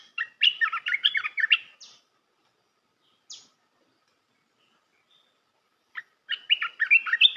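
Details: Red-whiskered bulbul song for training young birds: two bursts of fast, scratchy-edged warbling whistles, each about one and a half seconds, separated by a pause with a single high downward note.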